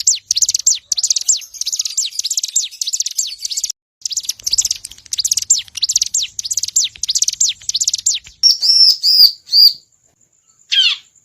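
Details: Lure recording of bar-winged prinia to draw in birds: long fast series of dry high ticks, a short break, more ticking, then several ringing chirps and a final falling note.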